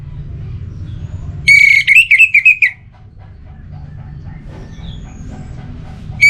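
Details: Orange-headed thrush in captivity gives one short burst of warbled, fluty notes after a clean opening whistle, then falls quiet while faint distant chirps and low hum remain.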